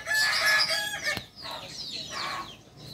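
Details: The tail of a loud harmonic crow from a Kukuak Balenggek rooster, a native Solok, West Sumatra chicken, ends abruptly after one second. A sharp click and soft, repeated downslurred chirps follow.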